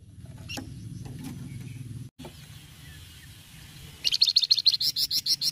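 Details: Flamboyan cretetan song: scattered faint chips over a low hum, then a lively run of about a dozen loud, high, evenly paced chattering notes.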